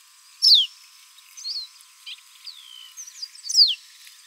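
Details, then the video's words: A Pearly-bellied Seedeater (Sporophila pileata, caboclinho-branco) sings high, sweet descending slurs, with softer chips and thin whistled notes between them, in a quiet, clean setting. "O Canto do Caboclinho Branco - Sporophila Pileata - Pearly-bellied Seedeater"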